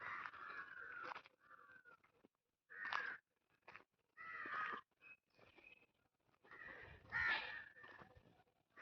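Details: Indian crow in village greenery near Hosur; harsh, rasping caws in irregular bursts of one to two seconds separated by short silences, somewhat rough and noisy in texture.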